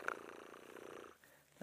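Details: Oxpeckers at a waterhole on an evening safari drive give a harsh, buzzy churring rasp lasting about a second, opening with a short sharp note and ending with a faint click; sometimes an alarm call, though they seemed unalarmed.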